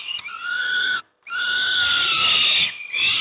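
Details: Two sustained, grating wails, the second long and strained, come from young peregrine falcons being given breakfast at Moszna near Pruszków, Poland.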